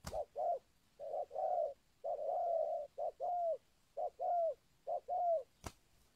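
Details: Spotted dove of a local type, used to lure wild doves, giving soft repeated coos in pairs, a brief note then a longer drawn-out coo, with a click near the end.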